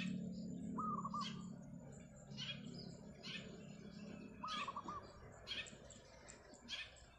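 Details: Morning rooftop song of a wild zebra dove, singing eagerly: two brief rolling coo phrases nearly four seconds apart, mixed with frequent high chirps from other small birds and a low background rumble.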